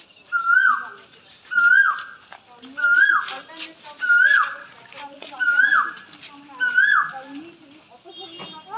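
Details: Asian koel singing in spring from a peepal tree beside a temple, 5 April 2025, gives six loud, rising two-part 'ku-oo' whistles, about one every 1.2 seconds, with faint chatter from other birds behind.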